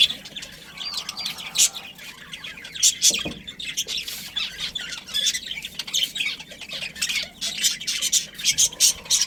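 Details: Budgerigar breeding colony: many caged budgies chatter at once, a dense stream of sharp, high chirps and short squawks, bursts coming in clusters over nine seconds, with a faint low hum beneath.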